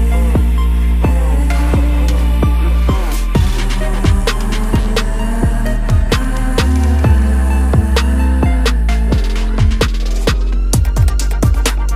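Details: Electronic music with a heavy, steady bass beat and sharp percussive hits throughout, with no animal voice heard.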